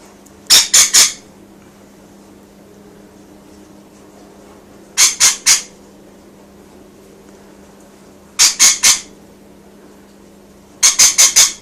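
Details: Indoor pet rainbow lorikeet calling to outside birds, giving short clusters of three or four shrill, grating screeches separated by roughly three-second pauses, with a low room hum beneath.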